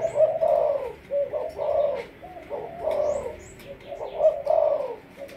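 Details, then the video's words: Spotted dove, Malaysian strain, 'sấm thổ' decoy bird, repeating deep rolling coo phrases roughly every one and a half seconds, with faint high chirps of other small birds in the background. "Lên em sấm thổ cho ae về tập mồi"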